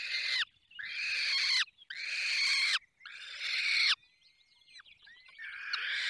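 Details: Falcons at their nest in the Barycz Valley, Poland, during feeding: four loud, harsh, drawn-out screeches, each about a second long with short gaps, followed by fainter thin calls.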